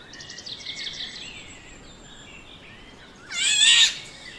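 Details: Black-naped oriole, a yellow bird, with a run of high chirpy notes that fade, then a loud harsh, nasal, buzzy call near the end against a soft outdoor hiss.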